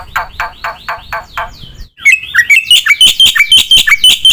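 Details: Black-winged myna in full, active song packed with mimicked filler phrases: a run of five harsh, buzzy bursts, a short pause, then a fast series of sharp whistled notes with bright high overtones, repeated about twice a second.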